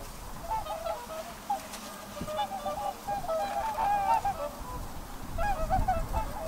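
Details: A flock of whooper swans calls in quick overlapping honks, swelling in the middle and again at the end, over faint rumble.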